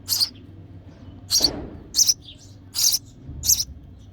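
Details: A nestling sparrow begs for food while its mother feeds it, making bursts of shrill, high chirps roughly every half to one second, with a brief low thud near the middle.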